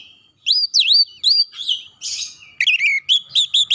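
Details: Oriental magpie-robin song used to coax a stressed bird into singing: loud, clear whistled phrases that swoop down and up, a short buzzy burst midway, then quick repeated chirping notes toward the end.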